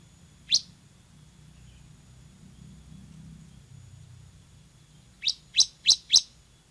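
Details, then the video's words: Semi-type bar-winged prinia: one isolated high chip, a quiet gap with a low background hum, then four sharp, high notes in quick succession. "MASTERAN CIBLEK SEMI GACOR VOLUME TEMBUS"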